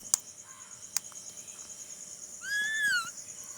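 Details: Pet Alexandrine parakeet imitating a cat's meow: one clear, harmonic, meow-like note lasting about half a second. It swoops up, then slowly slides down. A steady high insect-like hum runs throughout, with a few sharp clicks before the meow.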